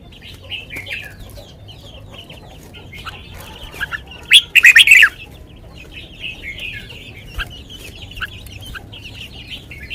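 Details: Red-whiskered bulbul singing sweetly in 'lak wai' style: continuous soft warbling notes, broken midway by a loud, quick burst of repeated sharp calls, then quieter phrases resume.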